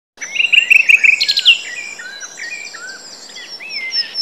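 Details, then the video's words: Common nightingale singing at Woods Mill nature reserve, Sussex, in the late April to early June song season: a rich, varied phrase of rapid chattering notes and sharp metallic trills, then softer slurred whistles, with other birds faintly behind. "Nightingale singing"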